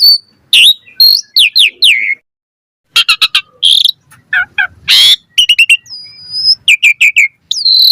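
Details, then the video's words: Asian pied starling singing in the 'mompa' style with full variation, used as a lure to draw song from kept birds: loud, clean bursts of whistles, rising and falling sweeps, harsh rasping notes and rapid clicking trills, separated by short pauses. "Pancingan Jalak Suren MOMPA Full VARIASI - Masteran Suara Burung Jalak Agar Gacor Full Isian Mewah"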